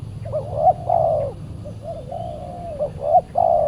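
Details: Wild spotted dove, reported as highly aggressive, calling back at a trapping decoy on a Saturday; a soft coo run of brief upward notes and level drawn-out tones over a low background hum.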